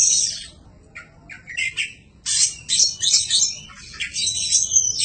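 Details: Oriental magpie-robin (kacer) heard in a recording used to tutor birds: dense scratchy chattering and harsh high bursts with a few whistled notes, over a low background hum.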